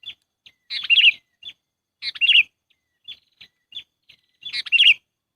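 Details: Lure recording of a sooty-headed bulbul for trapping: three loud, gurgling chattering bursts, each with a bright warbled twist, among scattered short high chips.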